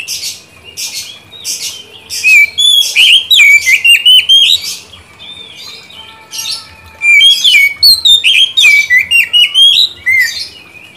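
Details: Lure song of an Oriental magpie-robin, meant to get a stalled bird answering and singing diligently: rich, varied whistles in dense bursts, with sharp upward slurs and trills, quiet gaps between two long loud phrases.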